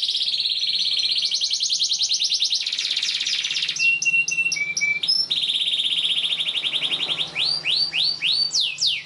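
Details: Long canary song used as a tutor for young canaries learning to sing, with dense high buzzy trills, a flat whistled tone, shifting phrases and a closing series of swooping downslurred notes.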